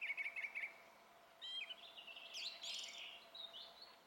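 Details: Song thrush singing on 27 April, a fast repeated stutter of notes followed by a rising slur and a varied, slightly harsh warbled phrase, steady faint hum behind.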